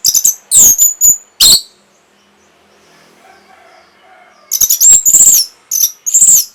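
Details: Orange-headed thrush song for stimulating breeding and a response: shrill, very high buzzy notes in short bursts, a soft murmuring gap, then a renewed string of piercing, slurred whistles.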